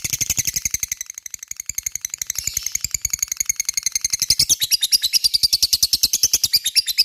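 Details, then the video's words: Lovebird singing a long ngekek, played to provoke a reply from rival lovebirds: an unbroken, very fast, high-pitched rattling chatter of even pulses that grows louder toward the end. "Pancingan LOVE BIRD gacor ngekek,mudah di respon lawan"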